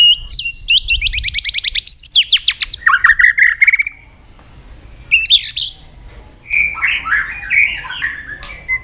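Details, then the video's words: White-rumped shama (murai batu) in gacor lure song: a fast chattering run of rising notes, dropping whistles, a short pause, then harsh squawky phrases and a final buzzy trill. "pancingan murai batu gacor bikin yang lain DOWN!!pancingan burung murai batu nyaut"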